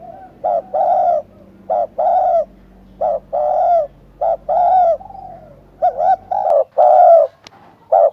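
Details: A steady series of spotted dove coo phrases, short note then sustained coo, repeated about every second and a half, with a faint quieter coo and a sharp click late on.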